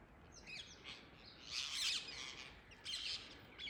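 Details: Wild, free-flying rose-ringed parakeets in a tree in the early morning give harsh, high screeching calls in overlapping bursts, several birds calling at once with short gaps between.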